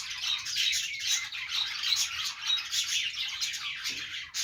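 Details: Happy morning chatter from a group of pet budgies: a steady, crowded stream of thin chirps and rasping warbles, ending in a sudden louder burst.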